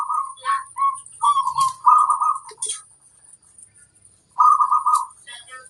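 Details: Singing strongly, a local zebra dove with a big voice gives several quick trilled coos in a row, pauses, then delivers one long rolling phrase, with a faint high hiss throughout.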